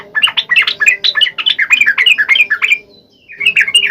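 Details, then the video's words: Sooty-headed bulbul song to prompt lazy birds: one long fast run of bubbly, warbling up-and-down notes, a short pause, then a fresh burst, over a faint steady hum. "SUARA KICAU TRUCUK GACOR AMPUH BUAT PANCINGAN TRUCUK MALES"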